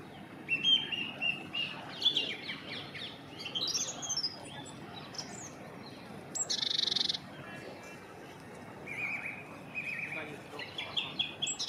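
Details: A song thrush sings loud, varied phrases of whistles and sharp notes, several repeated two or three times in quick succession, over quiet background, on a cold, dull, dark morning.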